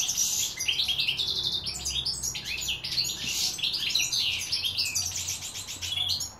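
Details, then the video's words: Goldfinches singing in 2016: dense, unbroken twittering with bright tinkling notes and short buzzy trills overlapping, a busy high chatter that barely pauses. "Goldfinch - chardonneret singing 2016 / καρδερίνες"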